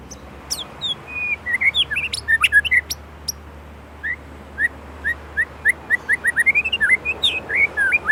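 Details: Indonesia's white-rumped shama delivering a lively run of clear, slurred whistles, some rising and some falling, repeated in quick succession after a few sharp opening chips and a tangle of varied notes.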